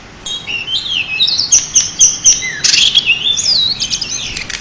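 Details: Champion pied bushchat singing as a master tutor: a continuous, busy stream of high twittering whistles, sliding slurs and harsh scratchy buzzes over a quiet background.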